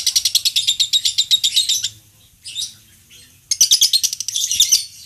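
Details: Lovebird singing for contest training: a fast shrill chattering burst, a pause with a couple of short squeaks, then the rapid high chatter resumes.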